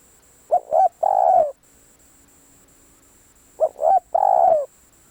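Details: Decoy spotted dove calling: two matching three-note phrases about three seconds apart, each with two short coos and a long final coo. A faint low hum runs underneath.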